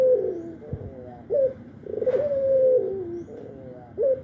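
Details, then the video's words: Albino Barbary dove, talkative morning, noon and night, gives a falling coo, a short rising note and a long level coo stepping down, with a brief knock heard early on. "Suara burung puter albino gacor pagi siang malam"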